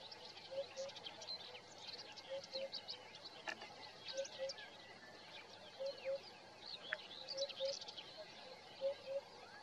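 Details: Eurasian hoopoe in the morning, recorded on a Nikon Coolpix P1000, giving steady low double hoots, 'oop-oop', about every one and a half seconds, with thin high chirps of other small birds behind.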